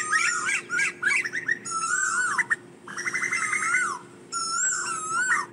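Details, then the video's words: Asian koel calling to its flock with a jumble of short whistled notes, then long slurred falling whistles alternating with a fast bubbling series, over a continuous low hum. "Tiếng chim tu hú gọi bầy"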